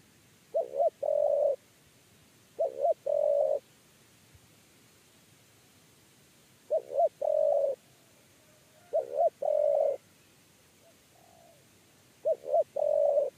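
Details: Spotted dove repeating its 'kuk 3' coo while being lured into a trap cage. Five phrases at irregular two- to three-second gaps, each two short, hollow, bouncing coos followed by one long, even coo.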